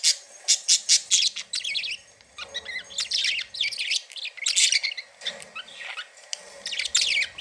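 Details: Budgerigars described as happy and playing, giving a busy chattering warble: dense bursts of scratchy chirps and clicks, with high rasping notes, running almost continuously with brief pauses.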